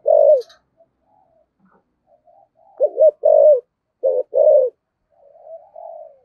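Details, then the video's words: Spotted dove singing in the deep 'giọng thổ' cooing style: short low coo at the start, then a gap with faint notes, then clusters of husky, bouncing coos with a soft drawn-out ending phrase. "Tiếng chim cu gáy giọng thổ thúc gù cực đỉnh"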